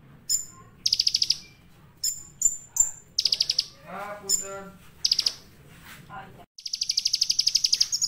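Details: Energetic olive-backed sunbird song packed with varied phrases. Bursts of high buzzy trills alternate with piercing thin whistles. A lower chattering run of rich notes comes midway, and a long, steadily repeated trill closes.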